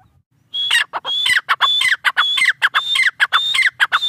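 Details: Tetar partridge in Pakistan calling steadily: a dense repeated pattern of high flat whistles, each followed by a falling slur and short clucking notes, after a brief quiet start.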